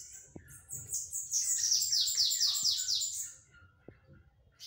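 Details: Bananaquit (sibite) delivering a 'batidas de pitiú' phrase: a thin, insect-like run of about ten quick descending strokes, ending abruptly, with light taps and clicks in the background.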